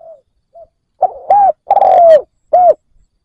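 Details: Spotted dove decoy luring wild doves: faint short coos, then one strong phrase of a low lead note, an arched coo, a long descending slurred coo and a final rounded note.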